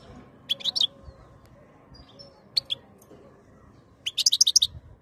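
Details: European goldfinch (khloui) ready to mate, recorded 2022: short bursts of liquid, high twittering separated by pauses, ending with a quick run of bright chirped notes.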